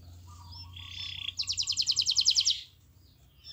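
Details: Canary master song used to prompt other canaries into singing: a flat buzzy whistled note, then a loud pulsed trill of about a dozen sharp high notes before silence.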